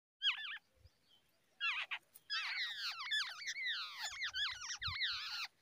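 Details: Babbler feeding its babies in the early morning; harsh, downward-slurred squeaky chatter in dense overlapping bursts, several calls at once, with brief low thumps.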